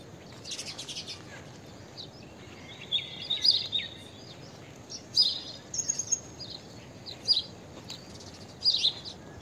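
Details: Blue-tailed bee-eater (Merops philippinus) calling: short, sharp trilled chirps repeated at irregular intervals about every one to two seconds, with a faint steady high whine and low background noise throughout.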